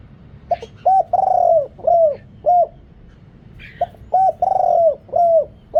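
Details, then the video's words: Spotted dove kept as a decoy to attract wild birds, deep-toned and noise-cleaned: two phrases, each of short hollow coos surrounding a long rolling coo, with a quiet pause between. "เสียงต่อนกเขาใหญ่ เสียงใหญ่"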